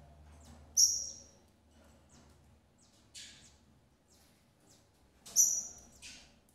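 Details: Female double-collared seedeater feeding her chicks: sharp, very high, thin squeaky calls, two loud ones about four and a half seconds apart with fainter short high notes between, over a quiet background.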